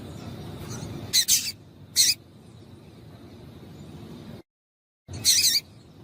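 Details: Calls of a female double-collared seedeater used to warm up a male: two harsh high chips close together, a third soon after, a brief dead silence, then another buzzy high note.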